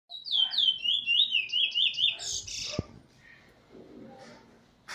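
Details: Bullfinch from Trinidad, a proven teacher bird in its sixth black plumage, recorded 19 February 2020: a quick run of clear whistled notes sliding down and rolling for about two seconds, then a sharp click and a quiet background.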